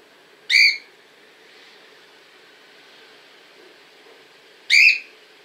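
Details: Cockatiel filmed in Montpellier, France, giving two loud, harmonic, rising whistled calls about four seconds apart over a faint steady background hiss.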